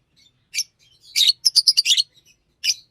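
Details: Green Fischer's lovebird gives a few shrill chirps around a rapid, rattling chatter of squeaky notes lasting about a second.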